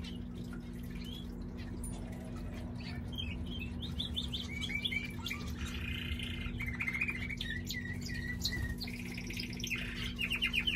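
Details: A pet male canary sings a varied run of warbled, fluttering mid-to-high notes and quick trills, some held as short buzzy rolls, over a constant low electrical hum and background noise.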